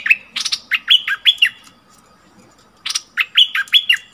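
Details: Bulbul used as a caged decoy to draw in wild birds, 28 February 2021: two bursts of clicks and slurred whistled notes separated by a short pause, with a low murmur of background noise.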